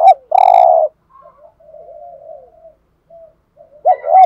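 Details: A decoy spotted dove luring other doves ends a coo with a long buzzy note, then gives soft murmuring sounds. A new phrase begins at the end with a loud wavering double note.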